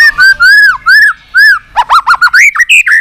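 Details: White-rumped shama with continuous 'tạch' singing, used to rouse a weak-spirited bird: three loud arched whistles, then a fast burst of varied sharp notes jumping up and down in pitch.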